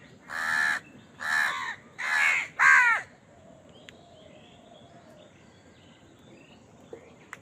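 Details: Crow at food giving four harsh caws in quick succession over three seconds, the last rising in strain, followed by quiet with faint distant chirps and clicks.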